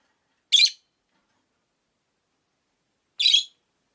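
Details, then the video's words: Two separate shrill, rasping chirps, nearly three seconds apart, from pet rosy-faced lovebirds housed in a cage near a window, with silence between. "Lovebird Chirping Sounds"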